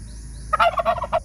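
A male turkey gives a quick rattling gobble, a burst of rapid throaty notes lasting under a second, with a low hum underneath.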